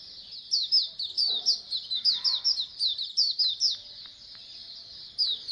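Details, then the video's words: Many Oriental white-eyes singing together in colony style, a sound used to spur birds into song. High, bright twittering rises in rhythmic pulses for about three seconds, then thins to scattered notes. "Pleci Koloni agar BUKPAR AGAR RAJIN BUNYI"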